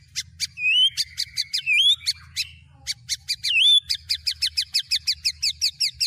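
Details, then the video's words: White-rumped shama singing mimicked phrases of other birds including canary and lovebird, a tutoring recording: sharp clicks, sweeping whistled slurs, then a fast steady series of repeated chipping notes, over a faint low hum. "Burung Murai Batu MU KURANG GACOR., BONGkar Isian speed cililin, kenari, love bird Dll..!"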